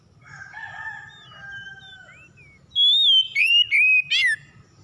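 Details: Oriental magpie-robin (kacer) song used as a lure to prompt other magpie-robins to sing: soft varied warbled phrases, then loud clear whistles around 3 seconds with sharp rising and falling notes and a quick buzzy trill, low hum beneath.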